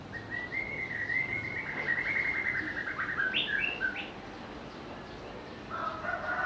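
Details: White-rumped shama song: a long run of clear whistled phrases with slurred and trilled notes, then a few higher sharp notes and a quieter phrase near the end; steady low background noise.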